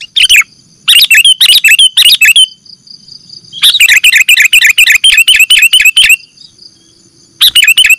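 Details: Sooty-headed bulbul calls used as a lure for catching birds: loud bursts of bubbly, wavering chirps packed into rapid runs, with pauses between runs and a faint steady high tone behind.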